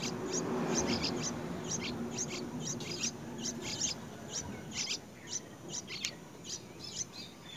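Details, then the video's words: White-browed bird bringing a very large insect to its young; rapid high, thin chirps in quick series with a brief rustling noise at the start. "The white-browed bird brought a very large insect to feed his young."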